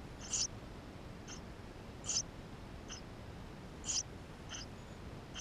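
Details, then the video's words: Eurasian tree sparrow nestlings inside the nest, filmed with a GoPro camera: short high squeaky peeps, single or doubled, repeated at uneven intervals over a quiet hiss. "Воробей полевой"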